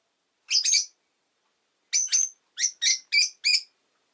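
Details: Harsh, buzzy double chirp from a pet rosy-faced lovebird, a gap, then a series of five similar shrill chirps spaced roughly a third of a second apart.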